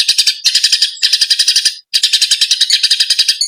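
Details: Fighting Eurasian tree sparrows in a training recording for songbirds. Bursts of fast, shrill chirping come in rapid volleys, broken by short pauses and one clear silence just before the two-second mark.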